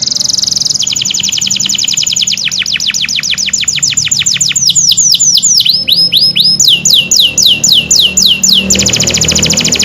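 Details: Canary in full song: long rolling trills of fast, repeated downward-sweeping notes, changing tempo and pitch partway, ending on a sustained high buzzy trill, over a low steady hum.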